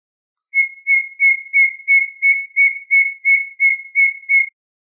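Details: Common nightingale song compiled for training Moroccan bulbuls: a measured series of about eleven short, clear whistled notes at the same pitch, evenly spaced roughly three per second. No other sounds.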